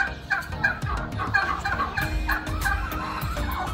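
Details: A turkey at a farm in Jumailiyah, Qatar, among over a thousand chickens, on 5 March 2021, gobbles in quick, rattling bursts, several in a few seconds. Steady wind rumble from a breeze and the murmur of other poultry sound throughout.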